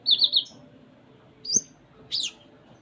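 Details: Konin singing: a quick high wavering trill, then a rising thin whistle and a sharp falling chirp.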